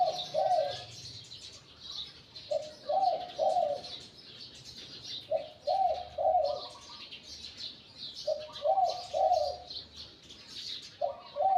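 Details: Wild-caught spotted dove used as a decoy, its voice medium to deep, in the Liu Tan style. Five regular phrases of muffled rolling coos come roughly every two and a half seconds, over constant high chirping from other birds.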